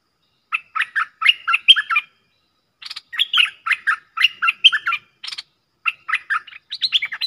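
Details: A pair of streak-eared bulbuls in a heated song duel, lure recording from 30 October 2021: short clusters of liquid chirped notes in quick succession, brief gaps between phrases, no other sounds.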